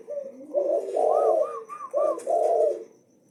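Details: Asian pied starling, unafraid and challenging, delivers thick mellow gurgling phrases topped by four evenly spaced short arched whistles, then falls quiet.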